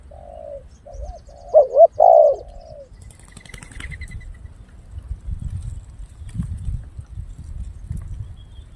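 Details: Spotted dove in a recording used to lure wild doves: a soft, low cooing phrase of rising and falling notes in the first three seconds, then rumbling background noise and a faint high rattle.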